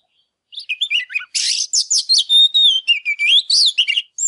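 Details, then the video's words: Oriental magpie-robin, fired-up ('căng lửa') and displaying, delivering a rich phrase of slurred whistles, a harsh raspy burst, then a drawn-out clear whistle and rising and falling sweet notes. "Chòe Than CĂNG LỬA HÓT MÚA"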